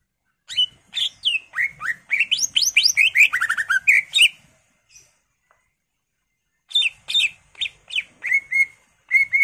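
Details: Greater green leafbird in full, active song, used as a lure to get other birds singing: a fast tumbling cascade of varied whistles and chirps, a two-second pause, then a rhythmic series of repeated whistled notes.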